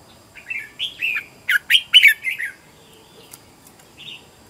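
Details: Trained decoy red-whiskered bulbul delivering fighting song to lure wild birds: a quick series of about seven warbling, whistled notes rising to a loud middle, then fading, followed by a faint short note.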